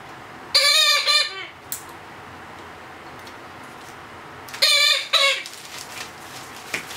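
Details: Hand-fed Blue-headed Parrot chick at two months old begging during feeding: two bursts of raspy, buzzy paired squawks several seconds apart, quiet background with faint clicks between.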